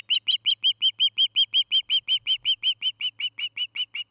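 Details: Osprey on a nest cam in Charlo, Montana, evening of 29 August 2018: loud, clear whistled chirps repeated briskly and regularly, almost three per second, each note bright with overtones, with little other sound.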